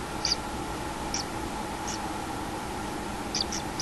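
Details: Common kingfisher at a nest, recorded 6 July 2016 around 14:41, gives short, thin, high-pitched calls at irregular intervals, about six in four seconds, over steady background hiss and hum.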